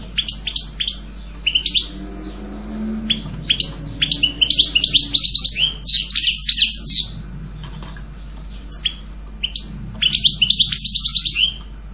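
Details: European goldfinch singing in lively bursts of high, rapid twittering and chirping notes with short pauses between phrases; a faint low hum runs beneath.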